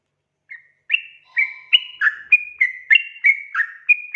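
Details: Lively trucuk, or yellow-vented bulbul, song used to coax untrained birds into singing: a soft opening note, a pause, then a quickening string of bright, gurgling whistles, roughly three each second, rising and falling.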